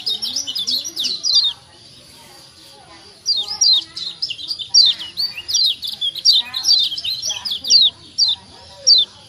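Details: White-eye known as kecial kuning from Lombok, used as a prompting call to make silent birds sing. A short flurry of high chirps, a pause of nearly two seconds, then steady strings of sharp descending notes over faint low murmuring.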